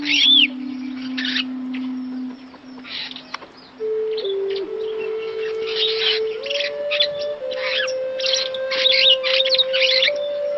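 An African starling sings bright, scratchy chirps and whistled phrases in quick bursts, over a steady low humming tone that climbs in steps.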